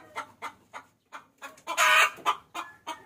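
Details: Hen calling for a rooster, used as a lure: spaced clucks that quicken into a loud, harsh, sustained squawk, followed by a few more single clucks.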